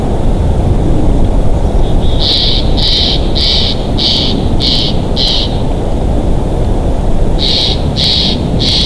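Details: Bald eagles at a nest in Big Bear Valley on 28 February 2023 around 16:16, recorded by a nature cam: a rapid series of six high, shrill chittering notes, a pause, then three more, under strong wind rumble.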